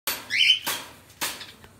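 A ringneck parrot gives one harsh, high squawk with a shrill tonal edge, followed by two short, sharp rasping bursts about half a second apart.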